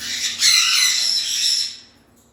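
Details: A parrot lets out one long, harsh, grating screech of about a second and a half. It swells quickly, holds steady, then fades out to quiet.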